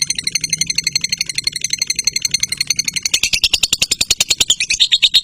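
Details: Long chattering burst from a lovebird: quick buzzy pulses at high pitch, growing louder and rising toward the end, with a low hum underneath.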